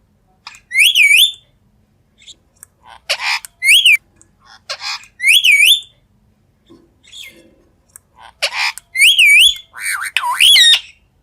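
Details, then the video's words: A pet rose-ringed parakeet gives a series of shrill, high whistled notes, several bending up and down in a wavy slur, mixed with sharp short squawks and clicks, in bursts separated by brief silences. "Green Parrot Talking - Parrot Natural Sound"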